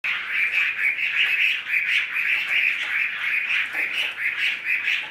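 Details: Caged Chinese hwamei, with a continuous harsh, buzzy chatter held steady through the clip, rising and falling slightly in loudness without clear breaks.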